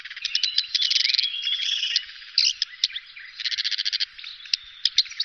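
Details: Black redstart song from the Wittlicher Tal, 2018: continuous harsh, scratchy crackling with stuttering rattles and brief thin whistles, busy and loud throughout.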